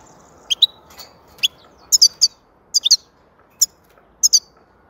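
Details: A European goldfinch delivers high, clipped twitters, single notes alternating with quick doublets, irregularly spaced about half a second to a second apart over a quiet backdrop.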